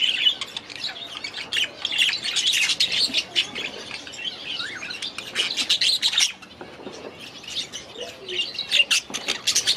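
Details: Budgerigars kept in an aviary produce lively, continuous warbling, busy clusters of sharp chirps, squeaks and buzzy notes overlapping with hardly a pause.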